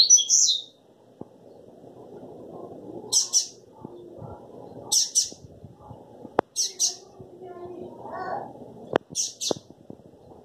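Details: Crossbred double-collared seedeater singing steadily with vigour: short, high, buzzy bursts of song, repeated roughly every three seconds over a low background murmur and a few sharp clicks.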